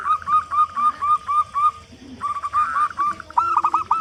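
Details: Local zebra dove, loud-voiced, calling to coax other doves to sing: a steady string of about eight separate coos, then faster overlapping rolling notes.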